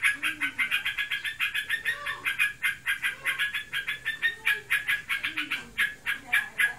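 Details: A sooty-headed bulbul, said to be in breeding condition, ngebren singing: an unbroken series of sharp, rapidly repeated chip notes, regular and energetic throughout.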